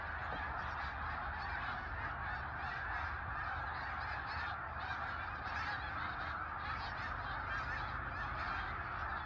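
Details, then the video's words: Snow geese in a large migrating flock, many birds honking and yelping at once in a dense, continuous chorus of overlapping nasal calls with no pauses. "Snow Geese"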